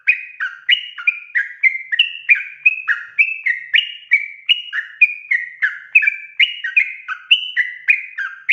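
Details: Lively sooty-headed bulbul song used as a lure call to draw wild birds into singing: a continuous, bubbly run of short whistled notes, alternating higher and lower, about three per second, with no other sounds.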